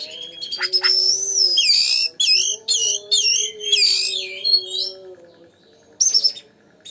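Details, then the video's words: Oriental magpie-robin (kacer) in full song, used to provoke another magpie-robin. A long sliding whistle gives way to a string of rapid, buzzy two-part notes, then fades to near quiet. A low hum persists. "pancingan burung Kacer gacor"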